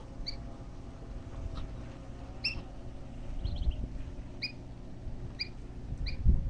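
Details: Black-bellied whistling duck chicks, thirteen of them at feeding time in Boca Raton, Florida, USA: short high peeps repeated about once a second, each a clear note with a lower companion tone, over a steady low rumble.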